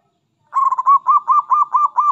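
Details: Loud, close zebra dove of local stock delivering a rapid chain of short, slightly arched cooing notes, about five per second.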